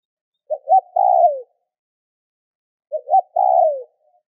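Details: Spotted dove call meant to stimulate other doves to call: two identical phrases about two and a half seconds apart, two brief notes leading into a long, buzzy coo that drops at the end.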